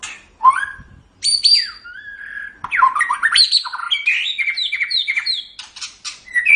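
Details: Caged pet white-rumped shama singing: rich varied song of clear whistles, sweeping slurred notes and rapid chattering phrases, shifting pitch often, with brief pauses.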